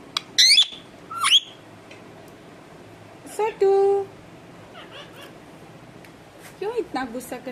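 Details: Talking parrot kept as a pet, giving two quick high squawks, then a longer steady lower harmonic note, and a few rough wavering calls near the end, with quiet pauses between.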